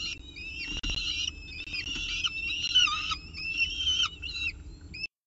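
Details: Peregrine falcon at its nest in Orange with a pigeon for breakfast, 24 October 2018, 7:59 am; a run of whistled, harmonic wailing notes with short upslurred squeals, near-continuous over low background rumble.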